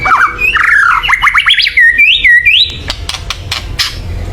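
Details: White-rumped shama giving loud, agitated calls meant to rouse other birds to sing: fast swooping whistles and rising slurs, then several sharp clicks over low background rumble.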